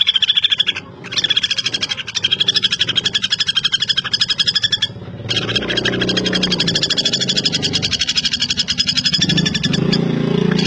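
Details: Common flameback (Dinopium javanense), locally called pelatuk bawang or pelatuk besi, giving a fast, dry, metallic rattle of rapid repeated pulses that breaks off briefly near one and five seconds, with a low droning hum underneath in the second half.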